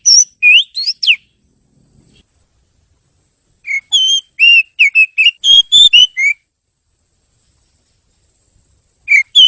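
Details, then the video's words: Melodious oriental magpie-robin song meant for tutoring other birds: short clusters of bright whistles, some upslurred, some downslurred, delivered in separate phrases with silences between, a fresh phrase starting at the end; nothing else audible. "Suara burung kacer paling merdup"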